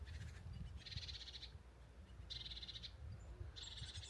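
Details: Great tit on the Isle of Wight Undercliff in June, an adult with fledged young, gives three harsh, buzzy churring alarm rattles about a second apart, warning an intruder to move away; low wind rumble underneath.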